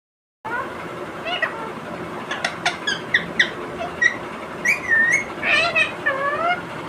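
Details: Pet Indian ringneck parrot talking non-stop while eating a tomato: rapid squeaky, bent syllables and chattering phrases over a steady hiss of background noise.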